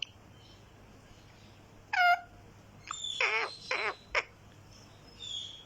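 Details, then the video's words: Green talking parrot making a single clear ringing note, then two raspy squawks and a short chirp, rather quiet against a low background hum. "Talking Parrot green"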